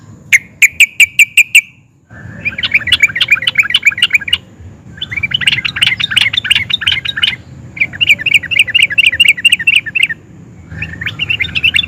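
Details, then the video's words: Agitated yellow-vented bulbul singing in rolling, chattering style: a short run of clipped repeated notes, then several long bursts of dense, scratchy rapid twittering separated by brief pauses, with a low hum beneath. "Kicau Trucukan Gacor Emosi NGUPLIK DAN NGEROL, bikin SEMUA JENIS TRUCUK YANG DENGAR AUTO NYAUT GACOR"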